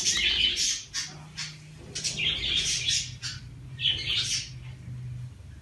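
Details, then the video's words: Pet common myna giving loud, harsh chirps and squawks in short bursts, with pauses between. A low steady hum runs underneath, and a person speaks briefly. "talking with myna bird صحبت با مرغ مینا"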